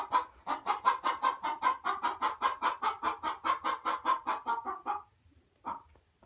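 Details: Domestic hen giving a steady stream of quick, nasal clucks, around three per second for five seconds, then pausing before one last cluck.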